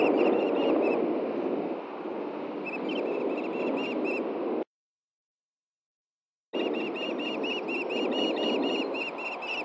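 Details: Osprey pair at a nest in Hellgate Canyon, Montana, on the morning of June 6, 2014, as the male delivers a fish to the female. Rapid high whistled chirps repeat in runs, broken by a sudden dropout, over steady broadband rushing noise.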